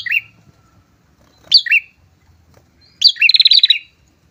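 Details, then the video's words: Loud prinia pair song used for attracting rivals: two high down-slurred chirps, a pause, then a longer rapid rattling trill ending the phrase. "PRENJAK TAMU SEPASANG GACOR, COCOK UNTUK MEMANCING PRENJAK BUNYI, MEMIKAT LAWAN"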